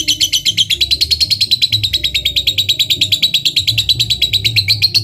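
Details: Lovebird, a fighter type, in continuous ngekek chatter used to draw a response from a rival: loud, rapid, evenly pulsed buzzy notes running without a break, with soft low tones underneath.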